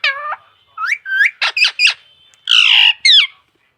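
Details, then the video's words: A parrot saying mummy and papa: a drawn-out, falling nasal syllable, then quick, clipped, chattering word-like notes. These end in a harsh, buzzy squawk and a final downward-sweeping call, against a faint steady tone. "parrot talking mummy papa"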